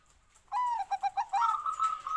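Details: Bangkok zebra dove song: a falling whistled coo, three quick staccato notes, then a sustained fast-pulsing trill at a steady pitch.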